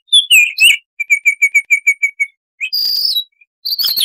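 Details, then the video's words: Baltimore oriole in 'tembakan' style: a few rich slurred whistles, then a fast even series of about ten short identical notes, followed by a drawn-out buzzy note and a harsh burst. "Suara Tembakan Unik Burung "Baltimore Oriole""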